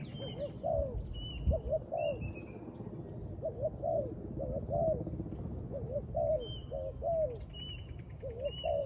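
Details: Near a trap, a spotted dove repeats throaty coo phrases: two quick notes rising into a longer, slurred note, about once a second. Other birds whistle high, clear, slightly falling notes in the background.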